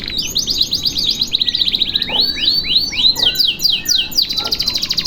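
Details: Canary in a long one-breath master song: rapid descending whistled sweeps repeated in quick series, interspersed with buzzy trills, continuous and loud throughout.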